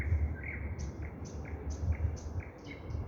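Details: Common nightingale singing over heavy low traffic or train rumble: a series of short, bright descending whistled notes repeated roughly every half second, with fainter higher notes above.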